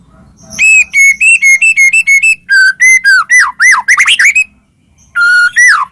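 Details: White-rumped shama song used to stimulate other shamas: a steady row of repeated whistled notes, then loud swooping and downslurred whistles, a brief pause and another downslurred phrase, clear and strong.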